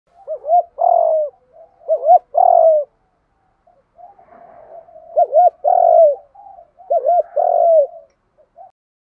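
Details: Spotted dove lure recording used to train decoy birds, with male and female birds described: repeated phrases of short wavering notes followed by a longer falling coo, in bursts with quiet gaps.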